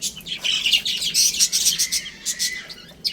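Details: Several baby chicks eating and playing, producing a rapid, continuous stream of high-pitched cheeps that overlap one another without pause.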